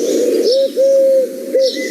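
Eurasian Collared Dove cooing a low, hollow three-note phrase: a short coo, a long drawn middle note, then a short final note.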